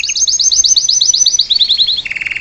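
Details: Brief passage of salsa canary song for tutoring a young bird: a quick run of high rolling slurred notes dropping into a lower pulsed trill.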